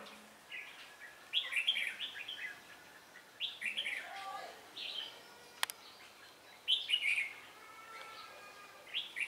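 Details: Red-whiskered bulbul recorded on 17 December 2016 during trapping at Ba Thá, Vietnam, said to respond quickly and vary its voice. Lively chirpy warbled phrases come about every two seconds, with a single sharp click midway and faint background sounds.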